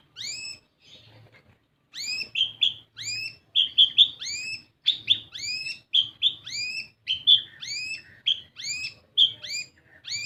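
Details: Kolibri ninja, a sunbird, singing as a lure for young birds. After a quiet start, high rising whistles and sharp chirps repeat steadily, roughly two notes per second, over a faint low hum.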